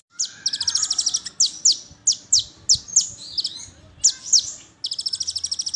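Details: Brown-throated sunbird 'tembakan' lure song meant to get other sunbirds singing. A fast, high chattering trill, then a series of sharp descending squeaks about twice a second, ending in another rapid high trill.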